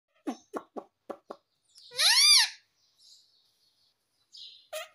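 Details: A pet parrot makes a few dry clicks, then one loud, arching, harmonic call that rises and falls over about half a second, followed by soft faint sounds and a final short rasp.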